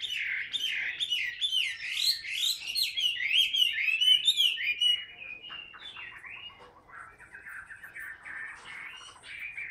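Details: Chinese hwamei, a caged bird that sings while hand-held, giving a loud, rich run of varied whistled phrases, rising and falling quickly, fading to softer warbling after about six seconds.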